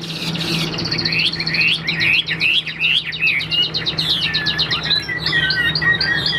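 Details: Caged hwamei being sold, pouring out fast, varied whistled phrases with quick trills. Slurred notes follow, with a steady low hum underneath.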